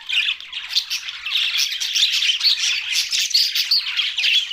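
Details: Budgerigars, Australian parrots kept as pets, chattering together: a dense, continuous warble of squawks, chirps and scratchy twitters, steady throughout with brief louder accents.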